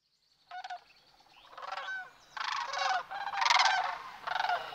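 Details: Sandhill cranes migrating through Nebraska's Platte River Valley, recorded on a March 18 morning about five miles north of Sutherland on North River Road; several rolling, rattling bugled calls in bursts, overlapping voices of a flock.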